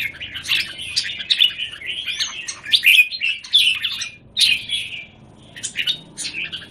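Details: Red-whiskered bulbuls in cages in Singapore, one bird against a group, January 2019. Quick whistled notes with short upward slurs come in clusters, with quieter gaps between them and a faint steady hum behind.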